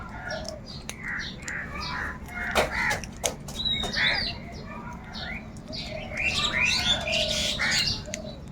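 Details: Several crows crowing as they search and squabble over food: harsh caws overlap throughout, with a busier burst of calls toward the end and a constant outdoor hum beneath.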